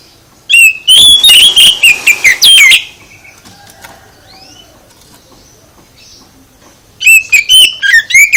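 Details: Oriental magpie-robin song used to provoke a reply from other magpie-robins: a dense two-second run of loud, rattling whistles, a quiet pause with faint distant chirps, then another loud whistled burst.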